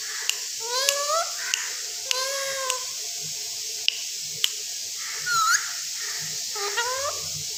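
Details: Caged rose-ringed parakeet that talks, giving a few short rising and falling squeaky vocal phrases with pauses between, over a steady hiss and occasional sharp clicks.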